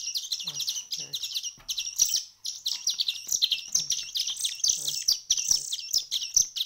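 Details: Several hand-fed chicks after a week of hand-rearing chirp excitedly in high, rasping, rapidly repeated notes, over two per second, with faint low handling sounds beneath.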